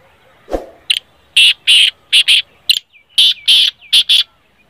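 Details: Black francolin giving repeated harsh, rasping calls, with loud broadband notes in two rhythmic bursts of four or five, preceded by a soft thump and faint background chirping.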